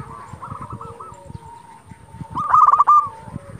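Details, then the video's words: Brief zebra dove song for luring and provoking rival doves: a short run of soft coos, a pause, then one loud, rapid rattle of tonal notes. "Perkutut lokal gacor Sekali Putar Lawan Pasti Emosi Langsung Nyaut"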